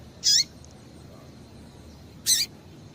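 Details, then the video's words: Female Double-collared seedeater (coleiro) calling, a call used to stir males into singing: two short, sharp, very high chirps about two seconds apart, each with a faint lower tail, over a quiet hiss. "Piado de Fêmea de Coleiro para Esquentar Coleiro"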